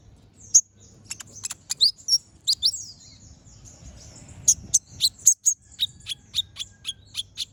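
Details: Energetic brown-throated sunbird, known as konin, delivering sharp 'tembakan tajam' song meant for training other birds: high, piercing, downslurred chips repeated about twice a second, with brief twittered phrases between them, over quiet low hum.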